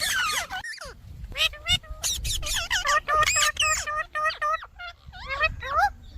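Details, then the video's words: Indian ringneck (rose-ringed) parakeet chattering in quick bursts of squeaky, warbling notes that slide up and down, sometimes sounding almost like words. "Ringneck indian parrot"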